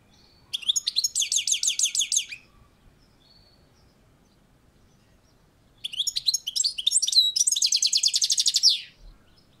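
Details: European goldfinch on a balcony giving two long phrases of fast, evenly repeated high trilled notes, rattling and tinkling, separated by a few seconds of silence.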